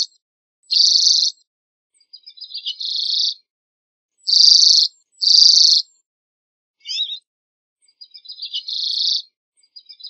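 A common redpoll sings high, dry buzzing trills mixed with quick, scattered chattering notes.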